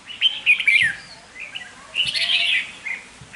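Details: A decoy red-whiskered bulbul gives short, sharp, whistled chirps and a quick warbled burst, with soft taps in the background.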